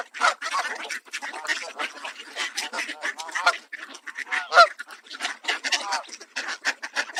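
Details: In Southern Ontario, Canada, excited Canada Geese walk toward a person handing out bird seed, honking louder as they near, with loud, irregular, overlapping nasal honks and Mallard ducks quacking and swarming among them.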